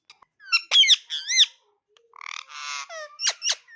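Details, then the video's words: A talking rose-ringed (Indian ringneck) parakeet chatters in a string of high, wavering, speech-like syllables, with a buzzy rattle in the middle and two sharp squeaks at the end. "talking parrot making noises!"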